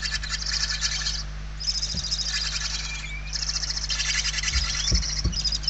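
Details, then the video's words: Barn owl nestlings begging for food indoors at a Spanish nest site, November 2023. Harsh, grating snore-like bursts run almost continuously, broken by a brief pause, with a few soft knocks underneath. "Głodne maluchy"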